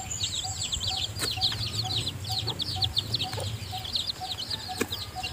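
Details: A mother hen feeds newly hatched chicks inside her nest. A steady chorus of high, bent peeps fills the whole stretch, with a soft short tone recurring about twice a second and a few sharp clicks.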